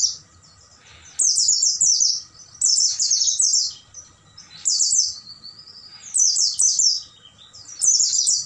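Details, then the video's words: Repeated high twittering phrases of an Oriental white-eye recorded at night to train caged birds, each phrase a quick cascade of falling notes about a second long, separated by pauses, with a thin whistle between. "MASTERAN PLECI MALAM HARI"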